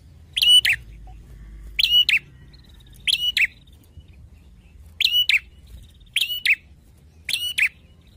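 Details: Loud, ringing song of a bar-winged prinia in Indonesia, a double chirp repeated about every second, six times, each note sharp and buzzy, over quiet low background rumble.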